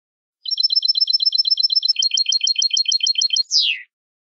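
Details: Goldfinch 'bitbita' song for prompting other goldfinches to sing: a long, fast trill of high paired notes that shifts to a slightly different repeated note midway, ending in a sharp descending buzzy sweep.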